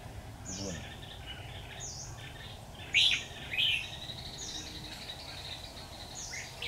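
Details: Red-whiskered bulbul fighting song during bird trapping on 13 October 2019: two loud, short, chirpy warbled bursts about half a second apart, set over faint repeated high twittering from other birds and steady low rural noise.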